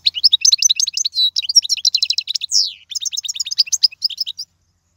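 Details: European goldfinch song played for teaching young birds: a fast, liquid twittering of tinkling notes and short trills, with one buzzy descending slur midway, a brief pause, then more rapid chirps.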